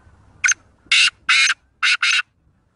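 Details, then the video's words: Sindhi black francolin (kala teetar) from Pakistan calling: five loud, harsh, grating notes, three single notes spaced about half a second apart, then a quick pair, over a quiet background. "Sindhi Black Francolin Voice | Kala Teetar ki Awaz"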